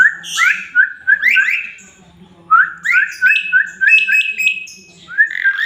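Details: Asian pied starling (jalak suren) male in energetic full song for tutoring other birds: a run of quick whistled slurs and chirps, a brief pause, then a rising series of bright, stacked notes.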